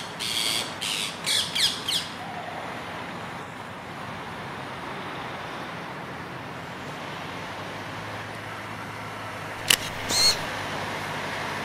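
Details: Rose-ringed parakeets fighting over a future nest site in November 2022 give four harsh screeches in two seconds, then a pause and two more, over a steady low hum of distant traffic.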